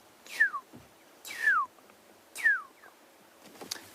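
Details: In the morning on an African safari drive, once the dawn chorus has quietened, a black-headed oriole gives three clear, liquid whistles that slur downward, spaced about a second apart, in otherwise quiet surroundings.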